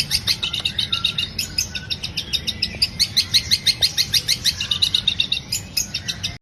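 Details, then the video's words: Long-tailed shrike song used as a lure to prompt others to sing: a fast, steady stream of sharp high chirps, roughly three per second, with faint low background rumble. "CENDET GACOR?! PANCINGAN BUNYI CENDET"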